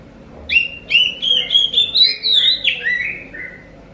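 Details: Song of an Oriental magpie-robin used as a lure so other kacer birds will reply: a lively stream of whistled, sliding notes, rising in pitch then dropping, roughly ten phrases in four seconds, fading at the end.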